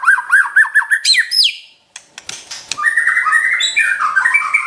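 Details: White-rumped shama champion trotol-style song, used as a training recording to provoke a pet shama: a run of short rising, looping notes repeated about four times a second, a pause with clicks, then a dense mix of warbled, varied phrases.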